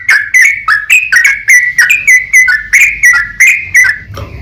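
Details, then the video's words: Sooty-headed bulbul 'ropel panjang' song played as a lure so other bulbuls call back: quick, ringing whistled notes in close succession, each falling in pitch, over a noticeable low rumbling background. "TRUCUKAN GACOR ROPEL PANJANG Buat PAncingan TRUCUKAN agar Bunyi JADIKAN burung TRUCUK gacor NYAUT"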